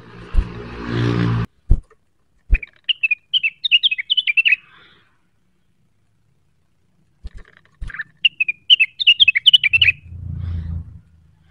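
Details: Cucak wilis stirred by a lure call while seeking a rival: a loud low rumble and knocks, then twittering runs of rapid, tangled high chirps, a pause, and another twittering run with low noise at the end.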